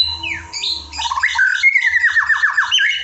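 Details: Evening song-training recording of a white-rumped shama. A falling whistle and fluty notes lead into a fast series of about six down-slurred whistles repeated several times a second, over a soft steady hum.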